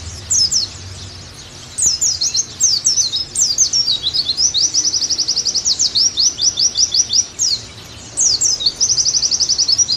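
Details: Tutor recording of an Oriental white-eye to get a bird singing again: after a quiet start, rapid high chirps and machine-like trills of repeated notes run on, with a brief gap before a final trilled burst.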